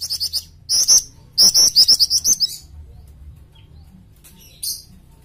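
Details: Varied song of a jingjing, or flycatcher-shrike, on a training recording: quick runs of shrill, high chirps delivered in tight bursts, then a near-silent stretch with soft low hum and one short high note near the end.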